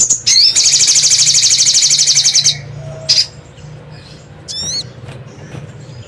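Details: Sogon, the crimson sunbird, as a bird-luring sound: a few sharp notes, then a long fast high-pitched buzzy trill lasting two seconds, followed by separate piercing chirps and a quick rising-falling squeak, with a soft low hum beneath.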